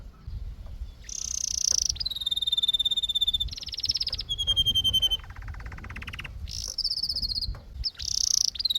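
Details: Canary delivering sustained rolled tours one after another. Bright high trills and long level whistles alternate with a lower, slower rattling section, and a brisk buzzy trill returns at the close.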